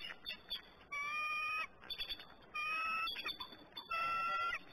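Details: Bald eagles at a nest in Decorah, 27 April 2018, both on alert as the male flies over the female in the nest: three thin, steady whistled notes about 1.5 seconds apart, with softer chittering between.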